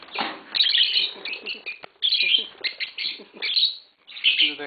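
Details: Green Fischer's lovebird pair singing: a fast, continuous run of shrill, squeaky chirps and twitters, rising and falling in bursts, with brief pauses between.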